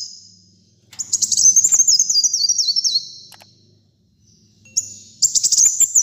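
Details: Sunbird called kolibri muncang gives a rapid, very high stepped trill falling gradually in pitch, a pause with faint low hum, then another sharp twittering phrase starts.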